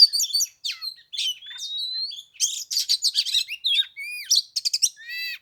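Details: Oriental magpie-robin singing on the third day of Tet in 15-degree cold, played for an hour while no rival bird came down to fight; a rich, varied string of sweet rising whistles, buzzy phrases and rapid chattering notes, with no other sounds.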